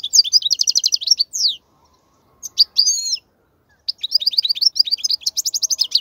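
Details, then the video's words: European goldfinch song used for tutoring young goldfinches: fast rattling twitter runs with a falling slur, a short pause, a few buzzy chirps, then a long stream of rapid, even twittered notes. "افضل نصف ساعة تغريد الحسون , لتسميع الفراخ"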